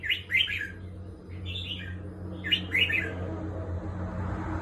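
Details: Red-whiskered bulbul kept as a competition bird, giving quick, cheerful warbled phrases of rolling liquid notes in short bursts. A constant low mechanical hum runs beneath.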